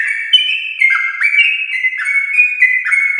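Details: A brief stretch of lively Yellow-vented bulbul song from a champion bloodline, used as a lure for pet bulbuls: a few pure, slurred whistles alternating between two pitch levels.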